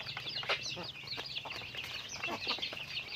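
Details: Chickens in daily activity, heard as wavering, squeaky chirps sliding up and down in quick succession, with occasional short clucks beneath.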